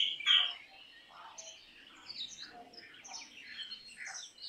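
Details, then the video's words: Black drongo vocalizing: an opening sharp, high squeak followed by a busy stream of buzzy, chattering notes at varied pitches, moderately loud against quiet natural background. "Black drongo Singing Song ! Black drongo Call ! Black drongo Sounds ! Black drongo Vocals"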